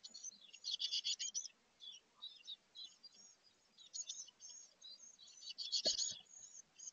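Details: Chickadee hatchlings close to fledging in a birdhouse, 2024, testing their wings: dense bursts of high, thin chirps and tweets in quick overlapping runs, with short pauses between bouts and a brief low thump near the end.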